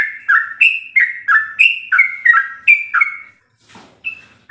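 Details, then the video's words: A sooty-headed bulbul in rapid ropel-style song, used as a master for training caged birds. Bright whistled couplets fall from high to low, about three per second, then stop, leaving a brief soft rustle and one last note. "Ropelan trucuk gacor full isian"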